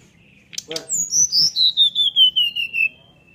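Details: Brown-chested jungle flycatcher in a cage, singing open-beaked to prompt other birds of its kind to answer. After a few clicks, about ten pure whistled notes fall steadily in pitch, roughly two and a half per second.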